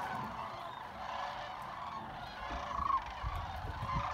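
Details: Trilling, chatting sandhill cranes crowd together at Jasper-Pulaski Fish and Wildlife Area, their many overlapping rattling calls forming a thick, murmuring din, with a louder nearby bugle partway through and low thumping noise in the background.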